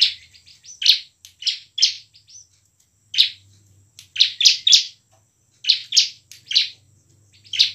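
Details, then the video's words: Energetic ciblek, the bar-winged prinia, singing in the 'ngebren' and 'nembak' styles as a lure for silent birds: clusters of harsh, bright chirps in twos and threes, separated by brief gaps, over a faint low hum. "CIBLEK GACOR penuh emosi ngebren dan nembak cocok untuk pancingan ciblek malas berbunyi."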